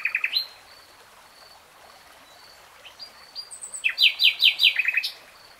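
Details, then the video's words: Common nightingale in song: an opening trio of sharp notes, a pause with thin high whistles, then scattered ticks building into a varied run of loud, fast descending chirps. "BEST NIGHTINGALE SONG"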